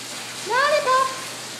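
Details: A female lilac-crowned amazon, asking for a shower, speaks a quick two-syllable phrase, the first part rising and the second held level, over the steady hiss of spraying water.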